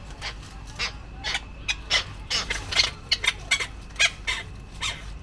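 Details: Male tropicbird fighting to protect its mate and nesting area, giving repeated loud, grating screeches roughly every few tenths of a second, becoming quicker and more clustered toward the end.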